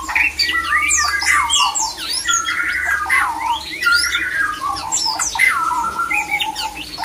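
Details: Mating call of a male white-rumped shama, used to rouse other shamas into breeding condition: rich continuous song of loud whistled slurs, harsh chatters and quick trills in varied phrases, over a faint steady hum.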